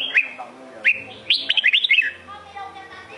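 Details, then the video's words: Red-whiskered bulbul of the Sông Kôn type singing: a short whistled upslur, a second sweeping note, then a rapid run of five bright, bubbling notes, rising and falling between mid and high pitch, over a faint low hum. "Chào mào sông kôn hót cực hay cực đẹp"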